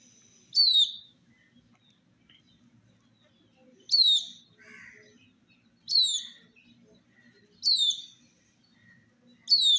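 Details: Colored chicks drinking water in summer. Five clear, high peeps slide downward, about every two seconds, with a few faint, low chirps beneath in otherwise quiet surroundings.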